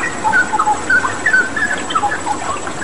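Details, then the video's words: Straw-headed bulbul song on a water-therapy training recording: clear, liquid whistled notes in short spaced phrases, some bending upward, over a continuous rushing-water background. "Masteran Cucak Rawa Gacor dengan Terapi Air"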